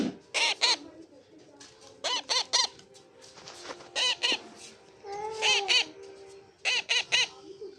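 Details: Young pet parrot calling "chi chi": loud rasping double and triple squawks repeated every second or so, with a few quieter chirps between.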